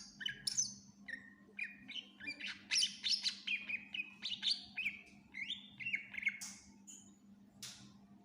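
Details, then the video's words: Greater green leafbird in full vigorous song packed with fills, for other birds to learn from: rapid varied whistles, falling slurs and bright chips strung continuously, ending in isolated high notes, with a steady low hum. "Cucak Ijo gacor FULL Isian cocok buat masteran burung læn"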